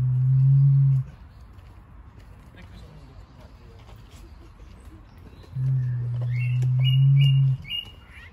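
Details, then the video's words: A Victoria crowned pigeon at Birdworld, Surrey, gives deep, resonant booming hoots, one about a second long and a longer one a few seconds later, with small birds chirping in the background. "Victoria crowned pigeon calling"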